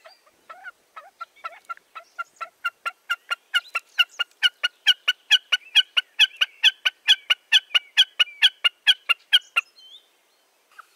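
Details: Common Snipe calling in a regular, accelerating-then-steady train of sharp ticking notes, about two per second, building in loudness for nearly ten seconds before stopping abruptly.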